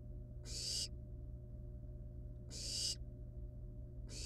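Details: Wild barn owl nestlings at the nest with a live rat brought as prey, playing with it before killing and eating it; loud broadband hissing screeches about 0.4 seconds long, repeated roughly every two seconds, over a steady low hum.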